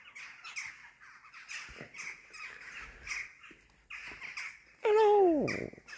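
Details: Western jackdaws arriving in the morning give scattered short, sharp chattering calls, then one loud, drawn-out call falling steeply in pitch, while a person greets them.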